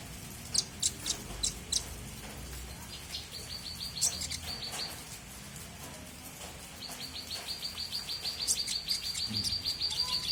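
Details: High, thin chirps from a small bird singing energetically, alternating with long, rapid trills of very high notes that grow louder toward the end, over steady low background noise.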